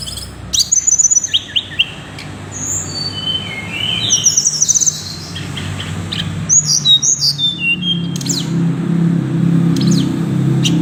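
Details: Tickell's blue flycatcher: bursts of high, thin, quick twittering notes and short slurred whistles, some rising and some falling, in several separate phrases, with a steady low rumble of background noise throughout.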